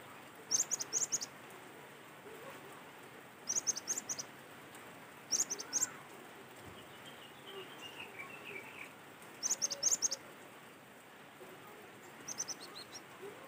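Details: Natural cinereous tit recording used to prompt other tits to sing: short bursts of thin, high, quick notes every few seconds, with a faint descending chirp series and soft ambient hiss between bursts.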